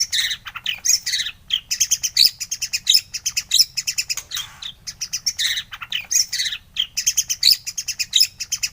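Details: White-rumped shama (murai batu) song used as a morning training recording to spur birds into singing: fast, dense chattering of high, buzzy and sharp notes, with brief pauses between bursts throughout.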